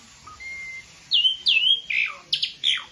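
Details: Asian pied starling beginner bird giving a thin steady whistle, then loud down-swooping whistles and harsh buzzy notes in quick sequence.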